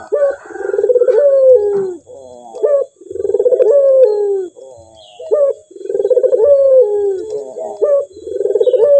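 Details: Clear cooing of a male Barbary dove, each phrase a short note followed by a rolling, drawn-out falling coo, repeated regularly about every two and a half seconds in a quiet setting.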